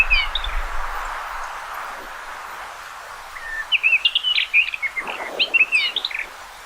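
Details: Common rock thrush song after a quiet start: a rapid run of sweet, chirpy warbled notes rising and falling over about two and a half seconds, with a soft background hiss.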